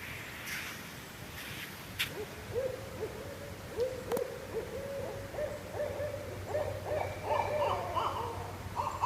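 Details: Barred owls calling to each other along the Shoal River in northwest Florida: a run of deep, slurred hoots that quicken into excited, higher cackling, over a low steady hum.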